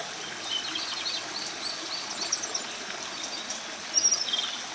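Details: Singing Japanese robin, one of the three famous songbirds, delivering a sequence of high repeated notes and a closing rapid trill, heard against constant stream noise.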